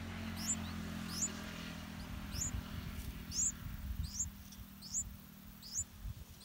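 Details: Yellow-vented bulbul nestlings in an areca palm nest, fed big insects by their parents. Sharp high rising squeaks come in a loose series, roughly one per second, over rumbling low-frequency background noise.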